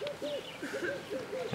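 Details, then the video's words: Superb starling at Lake Langano, Ethiopia, 11 January 2015, giving a quick run of about five short, arched whistled notes, with fainter higher warbling notes above. "Superb Starling, Lamprotornis superbus"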